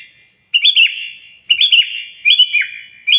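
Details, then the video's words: Sooty-headed bulbul singing hard to provoke a rival: three rich gurgling phrases of several tumbling notes, each ending in a lingering reverberant tail, with a quiet start and a faint high steady hum. "suara burung kutilang gacor keras, paling ampuh memanggil lawan auto emosi"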